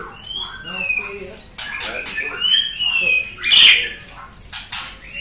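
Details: White-rumped shama from Klang giving clear whistled notes that glide downward, mixed with sharp clicks and harsh broadband bursts over a noisy background.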